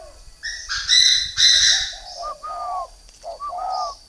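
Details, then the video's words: Northern Vietnamese spotted dove, a caged three-year-old decoy. A loud, harsh burst of other noise opens, then soft low coos follow in two short phrases, each topped with a faint higher whistle. "chim cu gáy hay miền bắc Mồi 3 năm"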